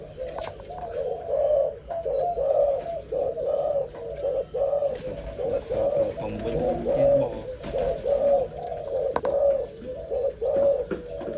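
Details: Young zebra dove just starting to sing, giving soft, mid-pitched coos in short rolling units, roughly one each second, fairly steady, with faint room and background noise.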